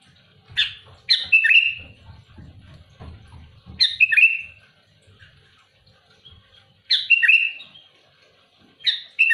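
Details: Sooty-headed bulbul singing hard against rival birds. Harsh, chattering phrases end in a slurred whistle and repeat roughly every three seconds, with low knocking and rustling noises between them.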